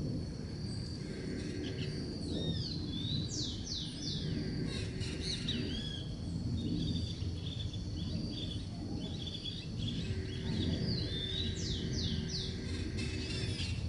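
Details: A flock of Scaly-headed parrots perched in eucalyptus in a garden calls in two bursts of rapid, high, downward-sweeping notes, overlapping one another, over a constant low rumbling background.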